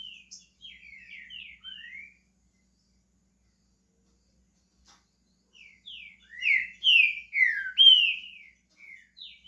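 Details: Brazilian pet green-winged saltator beginning to sing: soft scattered chirps, a long silence, then a loud burst of rich falling whistles and quick notes near the end.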